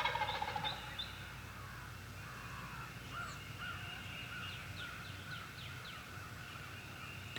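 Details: An adult Eastern wild turkey gobbler in the US Midwest on a spring morning, at the start of mating season, gobbles to attract hens. A rapid rolling burst opens it, over a steady hiss with faint chirping between.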